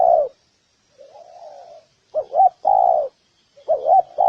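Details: Spotted dove calling, a recording meant to provoke males and females to fight. A loud coo is followed by a quieter drawn-out note, then two pairs of short wavering notes and longer full coos.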